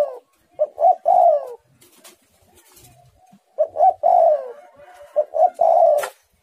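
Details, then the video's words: Spotted dove (tekukur) singing actively in the 'menekan rapat' style: two phrases, each of short low coos followed by a longer, louder downslurred coo, with quiet pauses between. "tekukur super gacor suara menekan rapat"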